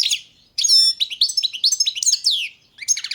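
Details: European goldfinch of subspecies balcanica delivering bright twittering song with pure ringing whistles, rising chirps and a long downward-sweeping note, followed by a brief tinkling phrase.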